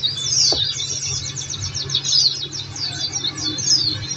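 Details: Pleci (Oriental white-eye) singing on a therapy track for prompting kept birds to reply: fast, sweeping high chirps in quick, irregular succession, unbroken for the whole stretch, with a faint low background hum.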